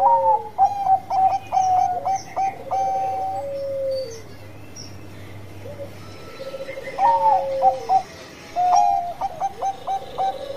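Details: Bangkok-type zebra dove singing actively, a lure meant to set other doves singing. Two bursts of bubbling, stepped coos, each a quick string of short hops between pitches ending in longer held notes, separated by a quieter pause with a soft low hum.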